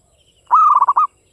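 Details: Single song phrase of a native Javanese zebra dove: a steady opening coo running straight into five quick, throbbing notes, clear against a quiet background.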